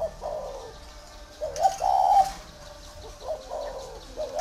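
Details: Captive spotted dove kept at a dove farm in Ba Vì district, Vietnam, giving deep, soft coos in three phrases, each a short note run into a longer hollow coo, with faint rustling between them.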